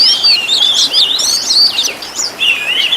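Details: Master song of a caged Oriental magpie-robin for teaching other birds, a fast medley of bright whistles, slurred notes and brief chatters, sung without a break.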